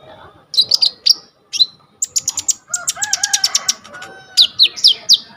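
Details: Energetic coconut lorikeet used as a tutor for kolibri ninja birds: sharp, high chirps in clusters, a quick rattling series of bright notes, and softer lower warbled tones running underneath.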